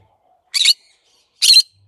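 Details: Green-cheeked conure giving a pair of abrasive, noisy squawks roughly one second apart in an otherwise quiet setting.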